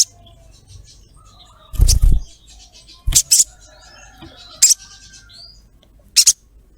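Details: Female ruby-throated myzornis calling a male. A dull double thump is followed by scattered sharp, high 'cret' notes, some paired, with faint soft background twitters.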